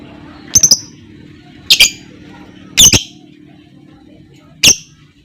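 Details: Lovebird calls used to provoke other lovebirds into singing: four separate sharp, shrill squawks, some doubled, spaced about a second apart over quiet background.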